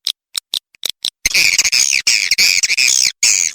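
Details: Swiftlet calls meant to attract swiftlets: a few separate short high chirps, then continuous rapid, buzzy chattering.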